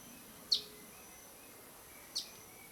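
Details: Black-goggled tanager in jungle at Araucaria Provincial Park, San Pedro, Misiones, Argentina: two brief, sharp high chips about one and a half seconds apart, over a quiet, steady forest hiss.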